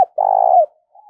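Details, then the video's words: Spotted dove 'thúc' and calling coos, used to stir up and train decoy birds: one loud, steady, low hooting note held about half a second, then a faint, wavering trailing note. "tiếng chim cu gáy thúc và gáy gọi dùng kích bổi tập mổi"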